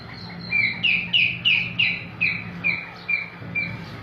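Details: Partridge in Pakistan calling a loud, fast run of about ten harsh squawking notes, each with a short falling tail, roughly three per second, over a low steady hum.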